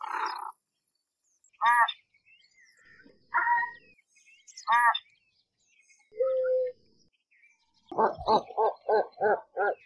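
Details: American white ibis giving hoarse, nasal honks, first spaced singly every second or so, then a quick run of six rhythmic grunting honks near the end.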